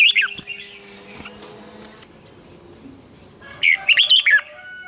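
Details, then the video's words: Red-whiskered bulbul practising competitive 'hót đấu' song, used to stimulate other birds: a short note at the start, a long quiet stretch, then a final quick run of bright, chattering notes. "Chào mào hót đấu. Chào mào luyện giọng hót hay ép bổi sổ bọng và căng lửa"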